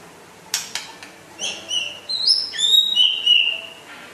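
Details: West Aceh white-rumped shama, said to be rare, giving a few sharp clicks then a series of high, thin sustained whistles that rise and hold steady, softer and sparser than full song.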